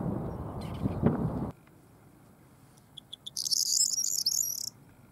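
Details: Corn bunting at Maiden Castle, Dorchester, on 16 April 2016: a few dry, spaced ticks speed into a bright, high, jangling trill lasting about a second. Loud wind rumble opens the recording, then calm.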